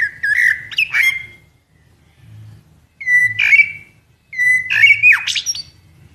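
Common blackbird: three phrases about two seconds apart, each a mellow, level whistle breaking into a harsh, scratchy squawk. A faint low hum runs underneath.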